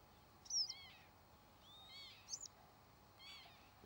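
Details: Three wheezy, squealing calls of a northern lapwing (Vanellus vanellus) in flight, each sliding up and then dropping, roughly a second apart, over low background hiss.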